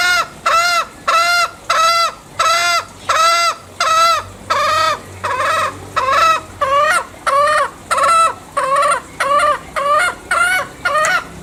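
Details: Long run of about nineteen repeated nasal calls from a green junglefowl in Bali, bright and harmonic, coming in a steady pulse of roughly one note every half second, the later notes somewhat shorter and more clipped.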